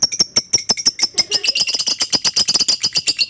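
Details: Lovebird calling in rapid chattering bursts, meant to provoke quiet lovebirds into calling back; sharp high chirps at an irregular pace, thickening after a second into a dense continuous twittering.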